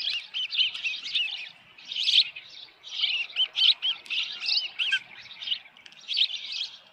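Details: At a Dunrovin Ranch osprey nest with a headless fish, June 2018 evening: jumbled, high, squeaky chirping in uneven bursts, with several overlapping whistled notes.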